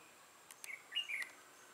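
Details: Red-whiskered bulbul with a dark throat and bold bib, a decoy bird used for trapping, recorded 6 November 2018; one brief clear warbled phrase of sliding whistled notes after two sharp clicks.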